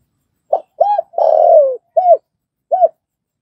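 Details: Spotted dove cooing, used to train newly caught wild doves to call quickly: a short note, a clipped double note, a long falling coo, then two short arched notes, all low and mellow over a quiet background.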